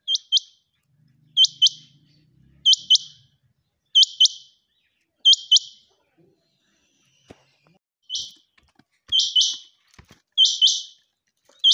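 A quail gives sharp, high chirps in quick pairs or triplets, roughly every second and a half, with a faint low hum and scattered clicks behind.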